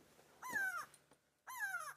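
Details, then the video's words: An upset Grey go-away-bird calling above on a sunset safari, 27 June 2016, gives two drawn-out, nasal, downslurred 'gwaaay' screams about a second apart, over a low engine hum; the species alarm-calls at predators. "There's a gray go-away bird screaming"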